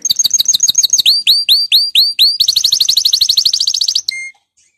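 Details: Canary song meant to prompt canaries to sing: quick chirps, then a series of slow, loud, downward-swept whistles. These give way to a fast run of repeated swept notes, ending in a short pure tone.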